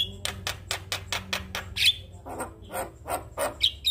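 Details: Male Javan myna in full song, meant for other mynas to learn from: evenly spaced dry clicks and harsh notes, a sharp high whistle, then lower grating phrases and another brief whistle.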